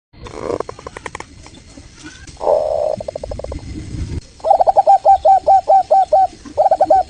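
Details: Local Indonesian zebra dove singing, a recording used as a lure to draw answers from other doves: after some scattered rough notes and a burst of broad noise, a fast run of short, hooked, mid-pitched coos repeats in a steady string.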